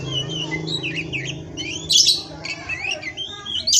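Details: Oriental magpie-robin (kacer) song from a bird-breeding setting in Indonesia, recorded for masteran: varied clear whistled phrases and rising slurred notes, broken by a few harsh buzzy bursts, over a low steady hum.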